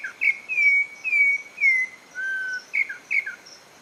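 A campo troupial sings a series of clear, fluting whistled phrases, some slurred downward and one long low whistle, with faint insect hum behind.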